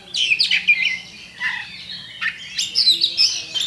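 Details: Champion Oriental magpie-robin lure song to provoke fighting: harsh, scratchy squawking notes mixed with high whistles, broken into uneven bursts over a quiet hum.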